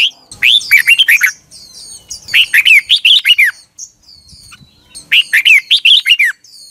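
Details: Training song of a red-whiskered bulbul at morning, 2021: three lively phrases of fluty, looping whistles that rise then drop, each about a second long, with faint thin calls between.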